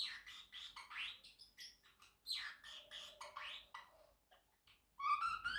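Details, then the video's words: Pet Pacific parrotlet singing and chirping: rapid scratchy notes mixed with rising swept whistles, a brief lull, then a louder clear whistled phrase at the end. "Parrotlet Bird Making 10+ Sounds - singing, talking and whistling"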